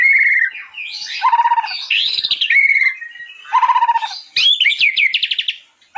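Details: White-rumped shama (murai batu) singing for a master recording used to train other shamas: mellow whistles alternate with buzzy, rattling trills, and a phrase repeats before a fast, ringing high trill closes.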